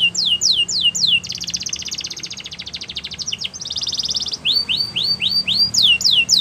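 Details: A Border canary sings a bright, high training song: quick falling whistled notes, then long fast buzzy trills, then more sweeping whistles.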